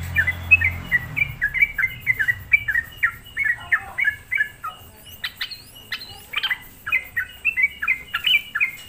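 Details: Sooty-headed bulbul lure song used to rile up other bulbuls, a rapid chain of clipped, downslurred whistles, broken midway by a few sharp clicks and scratchy notes before the quick series resumes.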